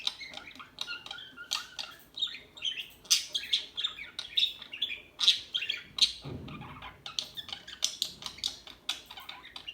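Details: Small birds chattering together, a dense stream of short high chirps and squeaky notes overlapping almost without pause, with a brief low thump near the middle.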